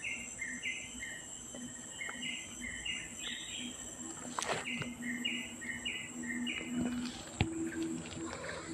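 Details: Songbird with clear, repeated whistled notes in stepped pairs, some phrases rising, delivered steadily. A constant shrill insect drone, a low hum and a couple of sharp knocks are also heard.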